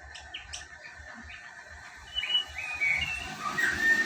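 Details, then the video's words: Caged female lesser racket-tailed drongo singing its wild-style song; a few short chirps, then clear whistled notes and slurred rising and falling phrases growing louder toward the end, over low background rumble. "SUARA NGALAS CENGKLUNGAN SRIGUNTING BUKIT KICAU ASLI"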